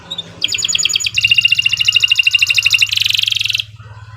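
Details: Singing canary used as a lure for others: a pulsed trill that shifts into a faster, denser rattling trill and then a buzzy high section, over a steady low hum.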